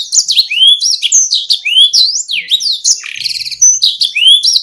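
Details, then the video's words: Canary sings a fast, unbroken stream of high, varied notes, sweeping whistles, rising chirps and short buzzy trills with no pauses, a recording meant to prompt lazy, quiet canaries into singing. "Sekali putar kenari yang malas bunyi langsung nyaut"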